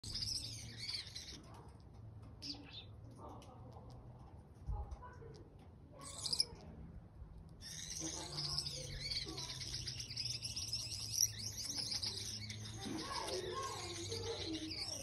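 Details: A young captive-bred Gouldian finch, kept in a colony during breeding, sings a thin, very high hissing and buzzy warble in broken bursts, with a low hum and faint voices behind.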